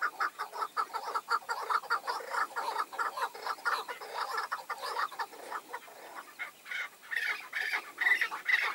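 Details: Overlapping chukar partridge calls as five wild males come to a tethered decoy bird: dense, rapid, rasping chuck notes run continuously, several birds calling at once, rising in pitch near the end.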